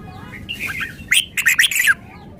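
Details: Red-whiskered bulbul, a cage bird showing off its song repertoire, gives a short warbled phrase followed by four or five loud, liquid whistled notes in quick succession, ending after two seconds.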